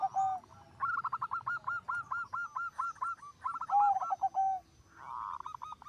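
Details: Zebra dove singing actively, its song said to make other zebra doves join in; clear mellow coos in quick rolling series, a bubbling phrase repeated twice with short pauses, then a softer burst at the end.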